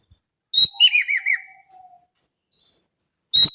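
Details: A lure recording of the Indonesian Javan kingfisher holds one clear, loud call: a piercing rising note, then about four harsh looping notes and a faint fading whistle. The clip is otherwise quiet, and another call starts at the very end.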